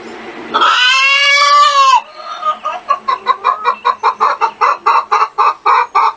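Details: Chickens clucking: a long, loud, harmonic squawk that dips slightly in pitch, followed by short, throaty clucks repeated about four times a second.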